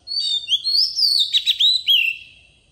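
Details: Oriental magpie-robin lure bird singing in forest style, a song used to train young birds: a rich, varied phrase of clear whistles, slurred upward and downward notes and quick warbled twists, ending in a falling whistle.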